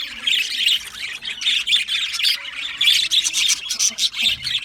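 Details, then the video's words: Several Australian budgies chirp and squawk at once, with busy high chatter, short scratchy notes and brief bursts of warbling overlapping throughout. "Australian Budgie parrot chirping sounds | beautiful Budgie birds sounds"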